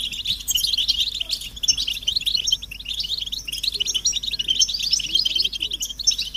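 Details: A chorus of European goldfinches giving mating and readiness twitters to spur male singing: nonstop bright chattering with quick buzzy phrases and tinkling notes, many birds overlapping.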